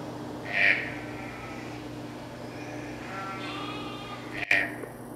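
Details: Captive Green-billed Toucan (Ramphastos dicolorus) giving two short, harsh, nasal croaks about four seconds apart, with fainter softer notes between them over a low steady hum.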